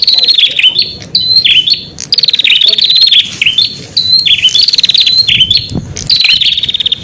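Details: Prinia song played to lure wild prinias: loud, high chirps that dip and rise, each run into a rapid buzzy trill, phrases repeated about every two seconds, with a faint low hum underneath.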